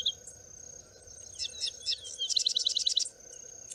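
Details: Sedge wren in open grassland of the Campos do Alto Rio Doce near Pitangueiras, Prados: scattered high sliding chips building into a quick, sharp, evenly repeated trill, with a continuous high-pitched insect drone behind.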